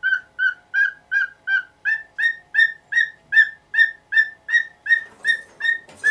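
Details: Caged pet cockatiel, in its nineteenth year, calling noisily in the morning to demand that the cloth over its cage be removed. Clear whistled notes repeat steadily, about two and a half per second, for around sixteen calls in a row, with a faint rustle at the end.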